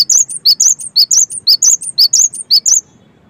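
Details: Cinereous tit song intended to spur other tits to sing: an unbroken run of bright, high, repeated three-note phrases for almost three seconds, ending abruptly in quiet.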